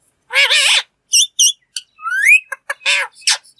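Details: A pet green ringneck (rose-ringed) parakeet talks in short, raspy, human-like speech bursts broken by a rising whistle and a few clipped squawks, with no other sounds.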